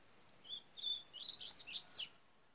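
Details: A young double-collared seedeater (Sporophila caerulescens) sings a brief phrase: two clear whistled notes, then a quick run of high, sweeping, slightly buzzy notes, over a faint steady whine.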